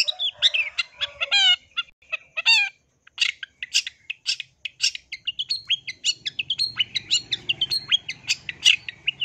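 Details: Long-tailed shrike, said to be a female calling the male: a busy run of sharp, scratchy chirps and short rising and falling notes, some with rapid harmonic stacks, delivered in quick irregular bursts, with faint low hum behind.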